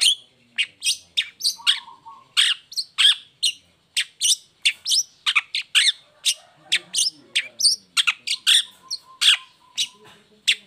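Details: Long-tailed shrike singing vigorously in a cage after the cover is lifted, a lure for lazy or moulting shrikes: fast unbroken run of harsh, chattering high notes, several each second, over about ten seconds.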